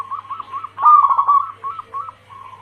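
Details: Lure call of a female zebra dove summoning the male, in local and Bangkok crossed with cemani stock: soft rolling coos around a loud burst in the middle, then short separate notes and a low hum.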